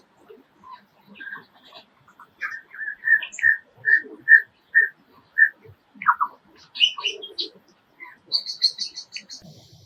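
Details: Male Superb Lyrebird in the Dandenongs forest near Melbourne, mimicking forest sounds to attract a mate: about eight clear, evenly spaced whistled notes, then descending trills and high, rapid chattering phrases.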